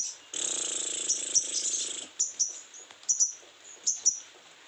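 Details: A sogon in breeding condition starts with a sustained high, buzzy trill, then breaks into short, piercing chirps roughly every half second to second.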